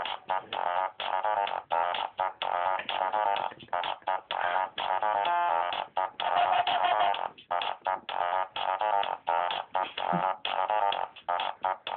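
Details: Continuous music with dense tones and rhythmic breaks, no animal voice standing out. The sound stays steady and band-limited throughout, like recorded music in a small room.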